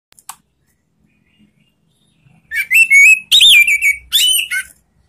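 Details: An orange-headed thrush, a singing bird used as a model for other thrushes, sings loud, clear, ringing whistled phrases after a brief quiet start.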